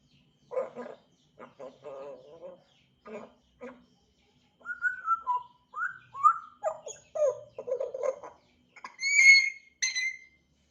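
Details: Chirping African grey parrot: scattered low, grating notes give way to a varied string of whistles, some sliding up or down, ending in brighter, piercing whistled calls near the end.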